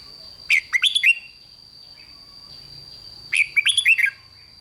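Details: Red-whiskered bulbul singing to make other bulbuls lively: two phrases of bright, bubbling whistled notes, the second slightly longer with about six syllables, separated by roughly two seconds of low hum and a steady high tone.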